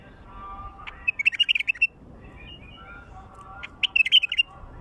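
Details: A wild bulbul, whose song is played to lure wild bulbuls, sings two quick, bubbly bursts of bright chirping notes about three seconds apart, with faint lower whistled tones between.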